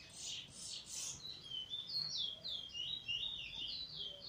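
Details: Singing Eurasian bullfinch, fresh out of molt, 1 January 2022, performing weet teeture and flute roll phrases: three buzzy chirps open, then a quick series of high, rolling whistled notes sliding up and down.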